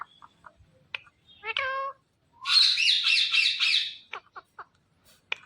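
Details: Indian ringneck parrot, just after being called by a person, utters a short voice-like harmonic syllable, then a long wavering screech of about one and a half seconds, followed by scattered clicks.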